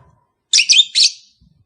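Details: Shrill lovebird calls used to prompt a kept pair to mate: three quick, piercing, rasping notes in close succession, the last one trailing off.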